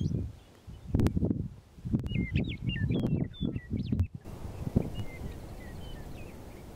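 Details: A meadowlark, recorded 03/30/15, sings a run of clear, slurred whistles, some rising and some falling, over heavy low rumbling wind or handling noise.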